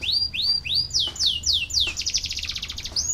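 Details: Canary song used to get lazy canaries singing: a series of rising-then-falling whistled sweeps, speeding up, then a rapid rattling trill and a final whistle.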